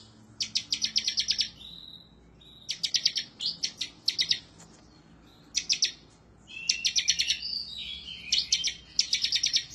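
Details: Bar-winged prinia in gacor, ngebren-style song, emotional and searching for a rival: clusters of very rapid high chirps about a second long, repeated every couple of seconds with brief slurred notes between.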